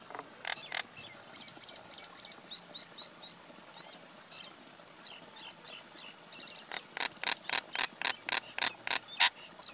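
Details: Common myna pair, male and female, giving faint scattered chirps and whistles, then a rapid series of about ten sharp, harsh clicking notes repeated steadily at the end.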